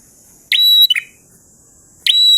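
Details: Prinia in energetic ngalun song, one full phrase of sharp onset, long bright whistle and buzzy trailing notes, followed by the start of the next, over continuous high hiss.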